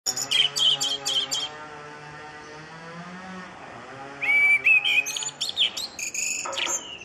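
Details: Common blackbird on Crete calling back and forth with others of its kind: two bursts of high, twittering, whistled notes separated by a few seconds' pause, over a steady low droning hum.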